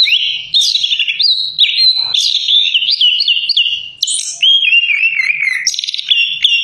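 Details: Rich, loud Orange-headed thrush song mixing whistled glides, buzzy trills and sharp high notes, with phrases sliding down and rising again in quick succession and a brief very high squeak near the middle.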